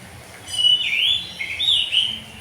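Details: Morning 'ngeplong' song of an oriental magpie-robin, meant to coax young birds into singing: a flowing sequence of rich, rounded whistles that rise and dip, two linked phrases over a quiet low hum.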